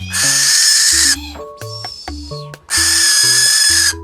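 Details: Barn owl giving harsh, hissing screeches: two long broadband bursts of about a second each, separated by a short gap, over steady background music with low bass notes.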